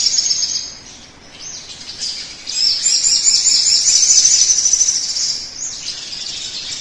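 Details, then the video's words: Sogon song used as a lure to get other birds singing: high twittering notes, a quieter dip, then a long, rapid, jangling high trill that fades toward the end. "pancingan suara burung sogon agar cepat bunyi"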